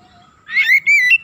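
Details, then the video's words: Oriental magpie-robin song meant to rouse other magpie-robins quickly: a faint low whistle gives way to a loud wavering whistled phrase that ends in a sharp chirp. "PANCINGAN TERCEPAT MENAIKAN EMOSI KACER GACOR DENGAN CEPAT"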